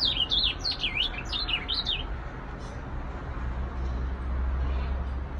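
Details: Ultramarine grosbeak delivering one loud song phrase of looping, slurred whistles that swoop up and down. The phrase lasts about two seconds, then stops, leaving only a low rumbling hum.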